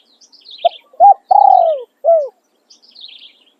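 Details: Spotted dove used as a decoy, one full cooing phrase: a brief note, a short arched coo, a long sliding coo dropping in pitch, then a short falling coo, with soft high twittering of other birds around it.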